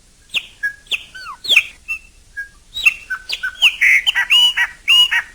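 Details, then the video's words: Chopi blackbird singing in nature: a varied run of clear whistled notes, sharp rising and falling slurs, and short liquid phrases, growing denser and louder toward the end, with a quiet background. "CANTO DO PÁSSARO PRETO CHOPIM NA NATUREZA"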